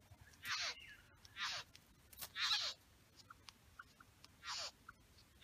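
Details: Harsh, hissing rasps from a male satin bowerbird in his bower with females present, four bursts spaced about a second apart with faint clicks and small chips in between.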